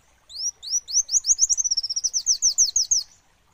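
Olive-backed sunbird song: a fast, high series of about twenty thin upslurred notes over three seconds, quickening in the middle and then easing off.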